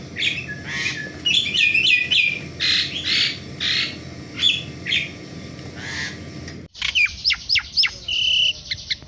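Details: Busy morning song from an Asian pied starling, a chattering stream of whistles and chirps in rapid sequence, followed after a brief break by sharp descending notes and a steady held whistle.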